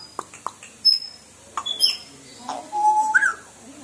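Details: African grey parrot at Ramoji Film City, Hyderabad, trying to say hello to visitors: a few sharp clicks, then a drawn-out whistled tone and a brief rising squeak near the end.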